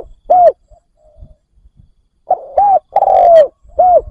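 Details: Spotted dove kept as a decoy, cooing to lure wild doves; mellow low coos with an arched pitch, grouped in short phrases including one longer, slightly descending note, clean with near silence between phrases.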